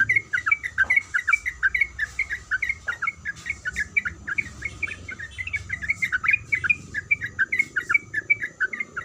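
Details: Sooty-headed bulbul female calling for a male: a long, unbroken run of quick chirpy notes, bouncing up and down in pitch, delivered densely without pause, with light background hiss.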